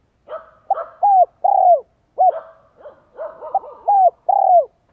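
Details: Decoy spotted dove cooing to lure wild doves, giọng son 1 cốt lỡ style; repeated phrases of short notes and rounded falling coos, overlaid by soft clattering and rustling noises.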